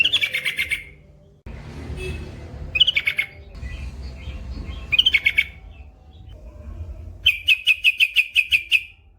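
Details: Trucukan, the yellow-vented bulbul, singing gacor with long ropel for masteran use: several bursts of fast, sharp, bright chirps, ending in a run of about ten, between stretches of rumbling noise.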